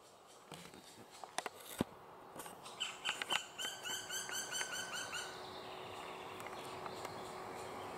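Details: Black woodpeckers at a nest high in the trees, where the parents call to urge a last juvenile, thought to be female, to leave. A rapid series of about a dozen harsh, ringing notes over two seconds, after a few sharp knocks, with steady background noise.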